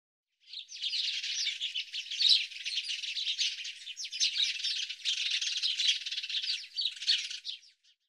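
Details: House sparrow chatter: a dense, unbroken stream of rough, scratchy chirping notes lasting about seven seconds, with no other sounds.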